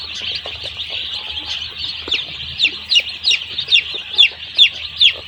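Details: Flock of one-day-old chicks at a poultry farm: steady high-pitched cheeping chorus, then one chick gives clear, loud, downward-sliding peeps repeated roughly every half second over the background of many others, with a low hum underneath.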